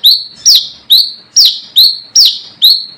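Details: Brown-throated sunbird calling to challenge rivals, a sound used for luring birds: loud, high chipping notes, each rising sharply and then falling away, given at a brisk even pace, seven in three seconds.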